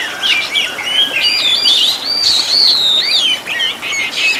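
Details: Oriental magpie-robin song recorded as a master for training caged birds: clear sliding whistles and twittering notes woven into one continuous, loud, high-pitched phrase with quick rising and falling slurs.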